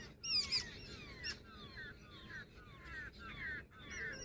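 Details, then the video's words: Jungle babbler, reportedly female, with a loud squeaky outburst early on followed by fainter, drawn-out descending squeals and soft chatter. "Jungle babbler sound effect | babbler bird Sound Grey | female babbler ki video"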